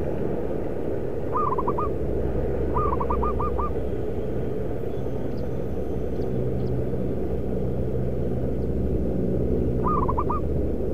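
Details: Zebra dove cooing during bird trapping with decoys at a concrete pipe and paving factory area in Kudus, Central Java: three short rolling, trilled coo phrases, each broken into quick pulses, over a loud, steady rumble of machinery.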